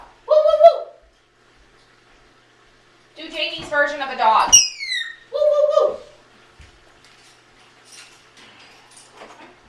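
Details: Adopted 16-year-old African grey parrot indoors, repeating a question while its owner cleans up droppings; short harmonic voiced phrases and a fast descending chatter, with the owner's voice answering and household noise.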